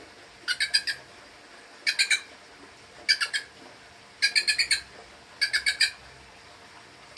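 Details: Wild bird, not used to people, calling while being approached with food: short bursts of three to four harsh, squawky stacked notes repeated roughly every second, with a soft background hiss.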